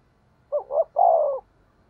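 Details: Spotted dove decoy coo, fast thổ đồng style: two quick short notes followed by one longer, slightly falling coo, with no other sound.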